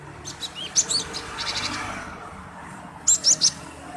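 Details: Chirping of a male cinereous tit used to draw other birds into song; a few sharp high notes early, a quiet stretch, then three clear rising chirps near the end over steady background hiss.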